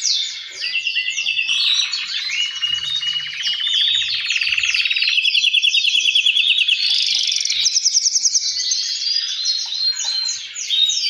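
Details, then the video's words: Male canaries singing in captivity, an excellent male leading while other males answer in song to encourage breeding. Long bubbling rolls, fast even trills and high tinkling notes run continuously, with a faint low thump early on. "تغريد فحول كناري الازعاج الذي يحتاجه طيورك لتحفيزها على الانتاج"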